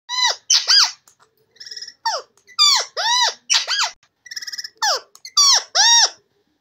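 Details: Indian ringneck parakeet mimicking human speech, shouting the phrase "totay bemar hain" in clear, arching, voice-like syllables, with short buzzy squawks between repetitions, indoors.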